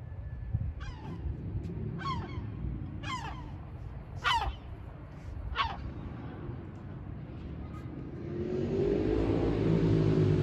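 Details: Gulls at a nest on the porch of a building. Short, harsh, downslurred calls repeat about once a second. Low rumbling carries through, and a broad rushing noise swells over the final seconds.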